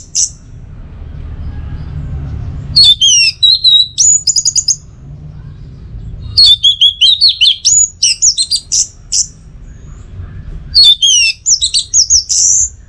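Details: High, rapid phrases from an orange-headed thrush (anis merah) in teler style: dense runs of sharp slurred whistles and clicks, three long bursts separated by silent pauses, with low hum in the background.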